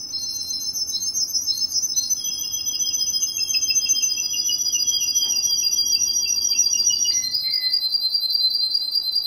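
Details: A Russian canary in Kuwait singing long, rapid rolling trills and sustained high tours, several running in parallel, before switching to a new high trill and a short lower phrase near the end; faint low background hum.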